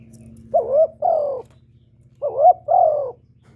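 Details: Kept spotted dove cooing continuously to stimulate and lure other doves; low mellow coos in two-note phrases, each phrase under a second, sounded twice about 1.7 seconds apart, over a faint low steady hum.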